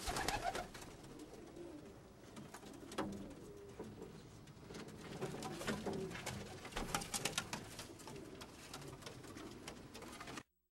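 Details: Baby pigeon in a small room, filmed at two weeks and again at four months old; irregular rapid squeaks and scratchy bursts run throughout, with occasional low cooing tones and sharp clicks, ending abruptly.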